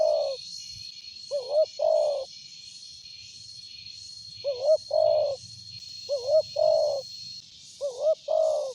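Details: Big-voiced spotted dove for luring, giving repeated two-part coos: a quavering rising note then a longer rough hoot, in bursts spaced a few seconds apart, over a steady thin whine and rhythmic high-pitched hiss.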